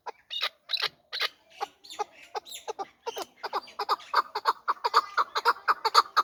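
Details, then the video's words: Hybrid fighting partridge from last year's brood: scattered scratchy notes at first, building into a steady rapid series of clipped chuck calls for the last three seconds. "Кабки Гибрид"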